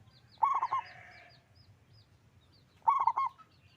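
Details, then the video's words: Zebra dove, local type with a big voice, singing two rolling coo phrases roughly two and a half seconds apart, while small birds chirp thinly in the background. "Perkutut lokal gacor suara besar"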